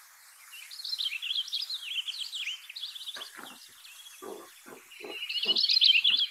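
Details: Purple Finch song: a rich, rapid, melodious warble of high, tumbling notes in two long phrases with a few soft low knocks between, lacking the wheezy ending of a House Finch.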